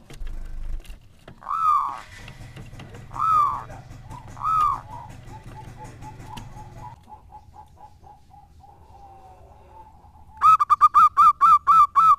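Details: A local zebra dove used as a decoy gives three separate swelling coos, each falling away at the end. Quieter soft notes and a low hum follow. The clip finishes with a rapid, bright train of evenly repeated coos.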